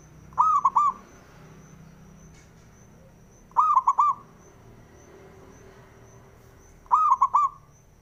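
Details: Male zebra dove calling to spur other doves to sing: staccato cooing phrases of three to four quick notes, repeated at steady intervals of about three seconds.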